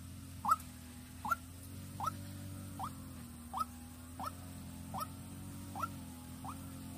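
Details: Vĩnh Long decoy white-breasted waterhen repeating short upswept notes, nine in seven seconds at a slightly slower, uneven pace, with a constant low hum behind.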